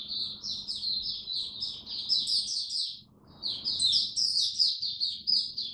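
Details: Oriental white-eye in a cage, recorded during cold rainy weather: two long runs of fast, high, jangling twitter notes split by a brief pause near the middle, with low hum behind.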